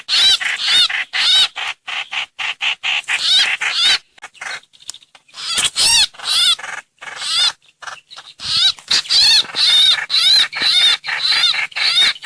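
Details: Lure track of a streak-eared bulbul giving the 'hoành hoạch' call: dense runs of harsh, buzzy, chattering notes with wavy high overtones, delivered in quick repeated bursts with a brief sparse pause midway.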